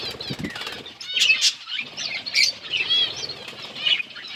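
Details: Budgerigars feeding give a loose stream of high squeaky chirps and warbled notes. Scattered low rustling and fluttering sounds through the background.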